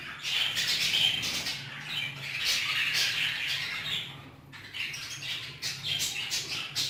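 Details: Aviary flock of Hagoromo budgerigars squawking and chirping in high, buzzy bursts that rise and fall in waves, over a low steady mechanical hum.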